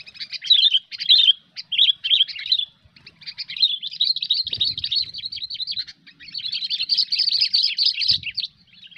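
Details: Sooty-headed bulbul giving its cengkram over fighter song during hobby bird trapping: fast, dense chattering warbles in short bursts, then longer unbroken runs of rapid bubbling notes, with faint background thumps.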